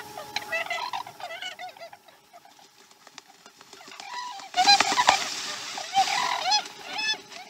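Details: Osprey at a nest on the Chesapeake during a slow-starting morning feeding on 2019-12-12: rapid runs of sharp chirping calls, a burst early then a louder, denser series later, with steady hum behind.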